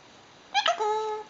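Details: Pet eclectus parrot talking indoors: a quick burst of bright, word-like syllables followed by a steady, level nasal tone held for nearly half a second, amid a person's playful peekaboo chatter.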